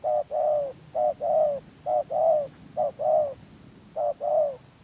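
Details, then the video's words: Spotted dove calling as a decoy for bird trapping in Đắk Lắk, Vietnam. Its cooing is of the rền gù and chỉ gù styles. Five full, mellow two-part coos repeat about once a second, a brief note then a longer, slightly falling one. "Bẫy Chim Cu Gáy 2022 Hàng Thổ Rền Gù Và Chỉ Gù"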